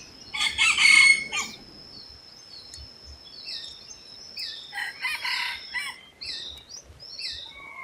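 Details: Red junglefowl crowing in its natural habitat: one loud, harsh, ragged burst about a second long near the start, then quieter thin whistles and chirps from other birds.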